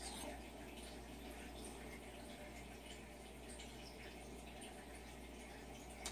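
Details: Constant rushing of water, like a tap or tub filling, with a low hum in a small room.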